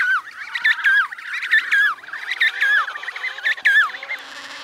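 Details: Emperor penguins (Aptenodytes forsteri) in Antarctica, where the chicks eat snow for water, calling over one another: shrill, wavering whistles that rise and fall, in overlapping bursts about once a second, like a busy colony.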